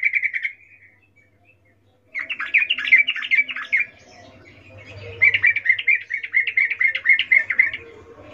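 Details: Female sooty-headed bulbul calling a male, an in-heat chattering call in the ngecuplik style: a brief burst of chirps, a pause, then rapid runs of bright, slightly buzzy notes, quickly repeated and uneven in rhythm.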